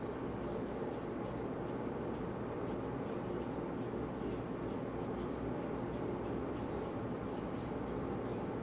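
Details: Impatient cowbird fledgling on a backyard feeder begs from the chickadee feeding it. Sharp, high-pitched chips run almost continuously, roughly three per second, above constant broadband rumble and hiss.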